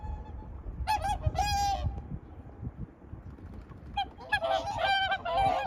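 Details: Swans giving bursts of loud nasal honks, a brief volley near the start, a pause with only low background rumble, then a renewed run of overlapping trumpet-like calls toward the end.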